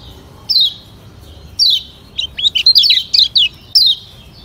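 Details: White-eye from Lombok (kecial kuning) in a lure recording. Two drawn-out, falling high whistles lead into a quick string of bright twittering notes, ending with one more descending whistle.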